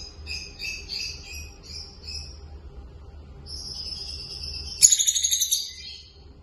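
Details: A pair of peach-faced lovebirds, curious about the camera, gives thin, scratchy chirps and twitters. The chirps end in a sudden louder burst of harsh chattering, over a low background hum.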